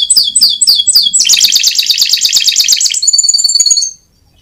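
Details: Winning contest canary master song: slurred repeated chirps, then a dense buzzing rolling trill, then a high clear fast trill before the song stops in silence.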